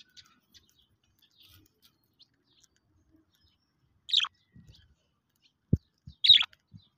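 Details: A pet budgerigar being hand-fed treats gives two short, bright chirps among soft tapping and handling noises.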